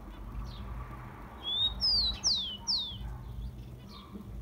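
Rufous-collared sparrow giving four clear whistled notes, the first rising, then three quick falling slurs, over low background rumble.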